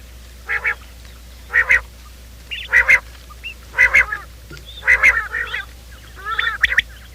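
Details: Quail sound used in the morning to lure quail for trapping: six bursts of harsh, harmonic paired notes about once a second, some with short whistled notes trailing after, over a low hum.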